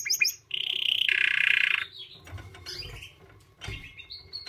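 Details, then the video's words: White canary giving a short burst of chirps followed by a loud, buzzy sustained roll, then sparse softer rising whistles and chips. "White Canary Singing 🎶 Kanarienvogel Gesang"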